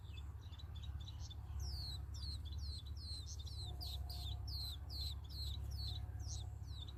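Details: Sparrow chicks in the nest pleading to be fed: sharp, high falling chirps that build into a fast, insistent series, with a steady low-pitched hum throughout.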